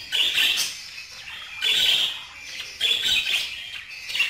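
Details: Budgerigar producing three loud, scratchy, buzzy warbling phrases, each lasting about half a second to a second, separated by short quieter gaps.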